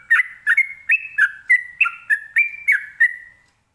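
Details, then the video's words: Sooty-headed bulbul, locally trucukan, singing a continuous ropelan song meant to make other birds answer; bright whistled chirpy notes with sliding pitch, about three per second, clean and steady, ending on a drawn-out falling whistle. "ini suara Trucukan ropelan bikin nyaut burung lainya"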